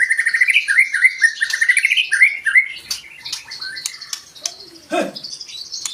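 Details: Chattering, rolling phrases of a white-rumped shama used to get other birds singing: quick repeated warbled notes, a few sharp clicks, and a lower call near the end.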